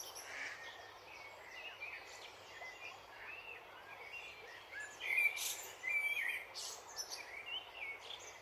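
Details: Dipper uttering scattered high, thin chirps and brief whistled notes, strongest around five to six seconds, set against continuous rushing water noise.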